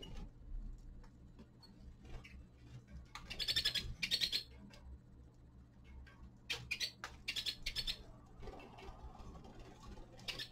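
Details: Young male common linnet, winter: two spells of rapid, rattling twitter, a dense burst early and a longer run of staccato notes later, with clicks and a low background hum.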